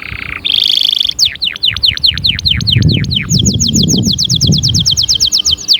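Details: Singing canary delivers a brief buzzy trill, then a run of loud sweeping downslurred whistles, then a quick series of sharp rising-falling notes repeated several times a second; low background rumble throughout.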